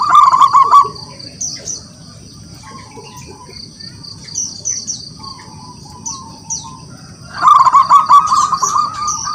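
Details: Zebra dove of local wild stock in song to provoke rivals: a short rolling coo burst, a quiet pause with soft scattered notes, then another loud rapid coo series. Other birds give high, thin calls.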